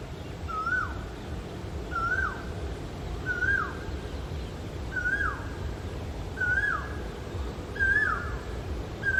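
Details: Male Asian koel song, six loud whistled notes, each climbing then swooping down, given at a steady pace roughly every one and a half seconds, with a low constant hum behind.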